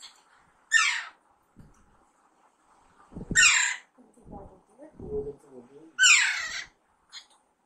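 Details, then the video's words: Pet Alexandrine parakeet raised from a chick, during talking training: three harsh, falling screeches roughly every 2.5 seconds, with a person talking quietly in between. "Alexander parrot natural sound"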